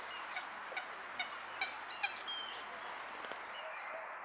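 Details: Eurasian teal (Anas crecca) in Tivoli landscape park, Ljubljana, on 2 September 2022, giving short, high, clipped whistled call notes about every half second against a steady rushing background hiss.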